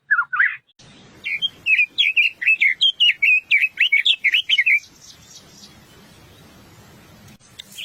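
Chestnut-vented nuthatch giving a quick run of about fifteen bright, high notes, roughly four per second, after a short squeaky opening; faint low background rumble.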